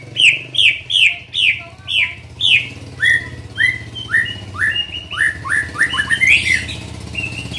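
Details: Young white-rumped shama in training, repeating a clear upslurred whistle about twice a second, then speeding into faster, more varied rising notes, over a low hum.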